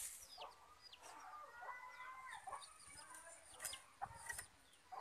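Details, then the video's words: Sooty-headed bulbul, a lively, actively singing male, used as a lure call: bubbly, mid-pitched whistled phrases amid a busy chorus of other chirping birds and sharp clicks. "kutilang emas gacor dan lincah"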